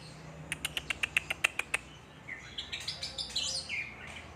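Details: White-rumped shama from Aceh, a bird now becoming rare there, singing: a rapid series of about nine sharp, evenly spaced clicking notes, then a pause and a varied warbling phrase of high whistled and buzzy notes.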